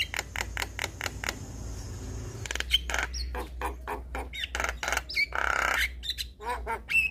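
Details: Black-winged starling song meant to set off silent starlings: rapid clicking series, then a mix of whistled notes and a harsh rasping burst over a low steady hum.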